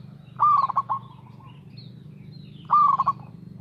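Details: Two cooing phrases from a local zebra dove singing steadily as a lure for other birds: each starts with an upward-sliding note, then a rapid string of soft, clipped hoots, over a constant low hum.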